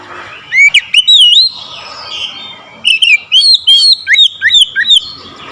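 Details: Oriental magpie-robin roused to sing aggressively at a rival: looping, bouncy whistled notes in two runs, the second a fast sequence of about eight varied upslurs and downslurs over a faint, steady background hum.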